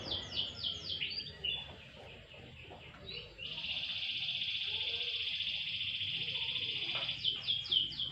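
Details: Canary set out in the sun sings quick falling notes, pauses, then a long steady buzzy trill, closing with more rapid chirps.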